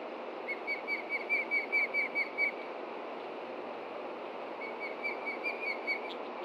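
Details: Osprey at its Montana nest in late June, alarmed by something on the ground: a quick burst of whistled chirps, a pause, then a fainter second run of similar notes over hissing background.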